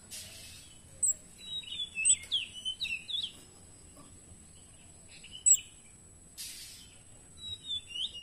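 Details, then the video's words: A kemade singing actively with a rich, varied repertoire: quick, varied chirps and short twittering phrases in bursts, over a steady high whine with a few brief rushes of noise. "BURUNG KEMADE GACOR ISIAN mewah"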